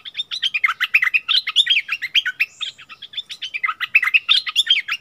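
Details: Bulbul and a wild bird quarrelling in song, neither giving in, March 2021; dense, loud warbling phrases of swooping chirps overlapping continuously, with a faint thin whistle midway.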